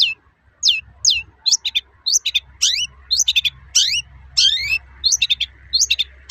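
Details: Long-tailed shrike singing its toet-toet sound to rouse other shrikes: sharp, sliding high whistles, some paired or stacked, repeated irregularly over a faint low hum.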